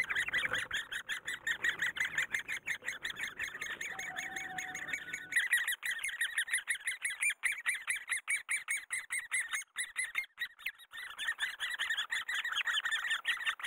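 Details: Great Spotted Woodpecker while raising young in the breeding season: a dense, continuous chorus of rapid, buzzy repeated notes, several each second, running without a break throughout.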